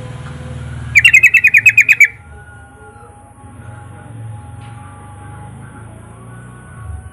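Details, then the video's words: Yellow-vented bulbul song meant to coax other bulbuls to sing: a single rapid bubbly phrase of about nine bright, chattering notes lasting one second, followed by quiet faint notes and low background rumble. "Kicau Suara Trucukan Gacor Full Isian Mewah"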